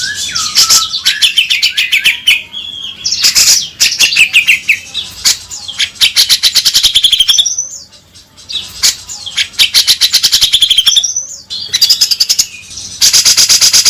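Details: Cucak jenggot, the grey-cheeked bulbul, in an extended lure song: long bouts of loud, harsh chattering and rattling trills broken by whistled slurs, with brief pauses between bouts.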